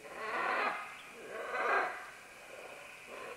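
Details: Green-winged macaws, several calling as they descend along vines: two loud, harsh, raspy squawks about a second apart, then a quieter rasp, over a steady high insect-like hum.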